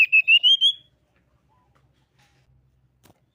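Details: Common iora song played as a lure to get other ioras singing. A short run of five quick whistled notes rises slightly in pitch, then near silence follows with a faint click.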